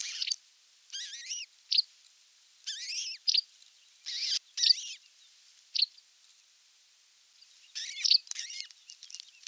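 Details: Osprey at its nest when a whole fish is brought for dinner, 27 June 2022: a string of loud slurred whistled calls, each sliding up then down, interspersed with brief sharp chips, coming in irregular bursts with short silences.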